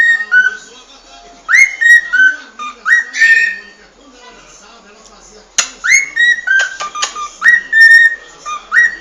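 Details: Cockatiels whistling a string of short, bright upslurred notes, several in quick succession. There is a brief pause midway, then a sharp click. The whistling resumes with more rising notes, mixed with scattered clicks and soft chatter.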